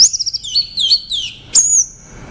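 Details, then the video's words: An orange-headed thrush sings a rich, varied phrase of quick high whistles and slurred notes, ending in a long thin whistle; nothing else is heard. "Tiếng chim Hoét lửa"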